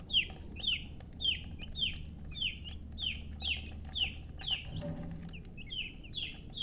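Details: Chicks chirping in a steady run of loud, high, falling peeps about twice a second, with a brief thump and low noise midway.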